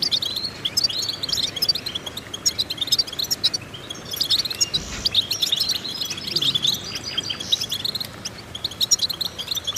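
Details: Goldfinch training song meant to stimulate other goldfinches: fast, continuous high-pitched twitters and metallic chirps with brief pauses around the middle, all set against a soft constant noise floor.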